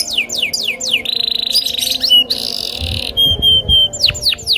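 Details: Loper canary challenging a rival: a few descending whistled sweeps, then a sustained buzzy trill, short flat whistled notes repeated, and more sweeps at the end.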